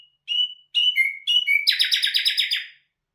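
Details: A nightingale gives a few separate clear whistled notes, then breaks into a rapid, dense, buzzy trill of repeated strokes lasting about a second before stopping.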